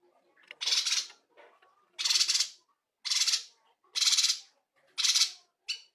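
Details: Cungkok bulbul delivering loud, varied filler phrases for training songbirds; five raspy, noisy bursts roughly one per second, each about half a second long, with quiet chattering notes in the gaps.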